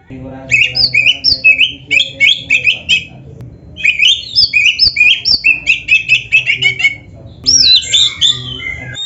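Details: Loud, busy Oriental magpie-robin training song: dense bursts of varied chattering and whistled notes in two long phrases, a short break, then a swooping whistled flourish.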